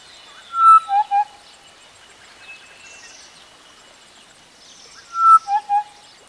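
Western Black-headed Oriole giving two liquid whistled phrases about four seconds apart, each a higher fluty note dropping to two lower ones, over faint distant birds.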